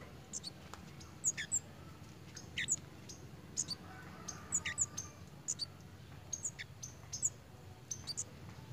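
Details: Pied fantail in breeding condition, acting playfully: short, sharp, very high chipping notes given singly or in quick pairs, repeated irregularly about every half second to second over a low, steady background hum.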